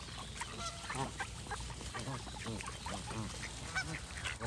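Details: Geese calling in a dense, overlapping chorus: nasal, harmonic honks with arched, slightly rising-then-falling contours, repeated in quick succession throughout, several birds at once, over a steady background hiss.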